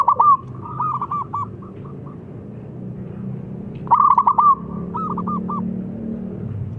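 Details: Long song of a local zebra dove, a prolific singer, played to prompt lazy birds into singing: a rapid rolling coo phrase, then a pause, then a loud repeated burst of stuttered hollow notes trailing into separate coos, with low hum beneath.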